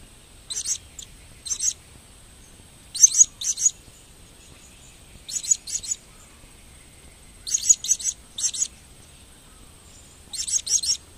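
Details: Blue-crowned hanging parrot repeating short bursts of piercing, high, scratchy chips about every two to three seconds, each burst two to four quick notes, over a faint steady background hiss.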